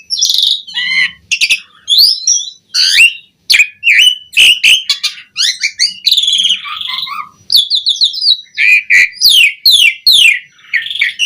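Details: Prolific Asian pied starling song meant to prompt other starlings to sing: a dense run of sharp whistled notes, rapid chattering trills and harsh squawks, almost continuous, with brief gaps.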